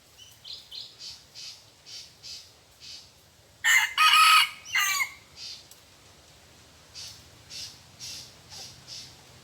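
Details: Red junglefowl in a forest, where wild birds are lured with a decoy, gives one loud, harsh, strained crow lasting about a second. Before and after it, short, high chirps from small birds repeat about twice a second.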